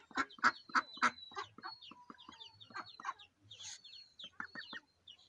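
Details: A mallard hen with her day-old ducklings gives soft, rapid clucking quacks, roughly three a second, while the ducklings answer with thin, high, drawn-out peeps.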